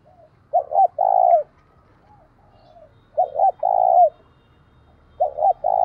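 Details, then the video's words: Decoy spotted dove calling to provoke rival doves into fighting. It gives low, mellow cooing phrases, each a quick double note then a longer drawn-out coo, three phrases about two and a half seconds apart, in quiet surroundings. "Chim Cu Mồi - cu gay kich boi nhanh noi gù hieu quả, cu gáy thúc đấu"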